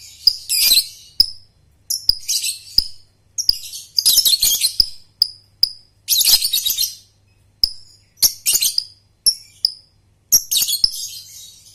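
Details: A young lovebird practising ngekek, recorded as a lure: scratchy high chirps, buzzy trilled phrases and brief downslurred whistles repeat in quick bursts throughout, over a soft low hum.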